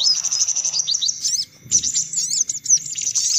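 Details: Sunbird sounds for luring: rapid high ticking series, a brief gap with a low thud, then jumbled shrill twitters and slurred chips.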